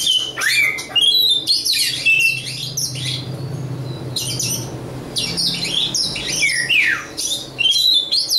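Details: Song of a local Oriental magpie-robin from East Java: dense, energetic phrases of harsh scratchy notes interwoven with clear whistled slurs and steep downward sweeps, nearly unbroken throughout, over a low background hum.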